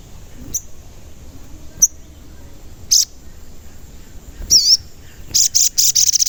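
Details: Sunbird lure song, a crimson sunbird calling to excite others into singing. Scattered sharp high chips give way to a wavering whistled note, then a burst of rapid, high buzzy notes accelerating at the end.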